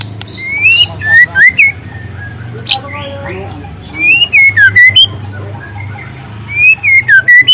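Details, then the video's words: Song of a free-living young spotted White-rumped Shama: three bursts of clear rising and falling whistles mixed with sharp clicks, separated by quieter pauses. "Suara asli murai lepas trotol dengan tembakan kenari panjang dan keras"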